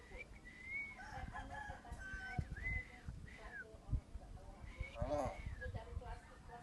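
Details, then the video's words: Common hill myna, a talking bird that imitates coughing and speech such as 'papi papi', gives a string of loud, arched, whistled notes at a similar pitch, with a human voice nearby repeating 'bangun'. "BURUNG "BEO" BICARA BATUK DI KOMIK AJA II PANGGIL PAPI PAPI"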